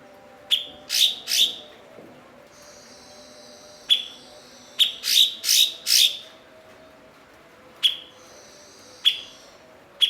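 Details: Blue-winged leafbird, a fluent mimic of other birds, kept as a master bird for training songbirds; short bursts of harsh, rasping notes with a steady high tone, in clusters of two or three separated by pauses, plus a faint buzzy trill.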